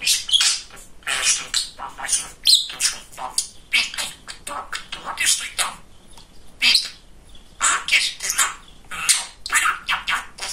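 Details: Male budgerigar, a pet talking parakeet described as very chatty, babbling rapid speech-like chatter in short bursts with bright high warbles and clicks, nearly continuous over ten seconds.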